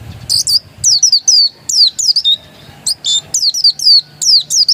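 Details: Oriental white-eye, the pleci dakun kind, said to be still original, delivers a continuous run of sharp, high, down-slurred whistles in quick clusters, with a faint low hum behind.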